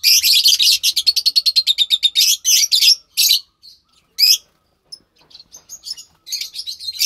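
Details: Two lovebird chicks, one pastel white and one with greenish feathering, March 3rd, 2021: an opening run of rapid, evenly pulsed raspy chirps, about three per second, then looser bursts, thin squeaks and a final burst of chatter.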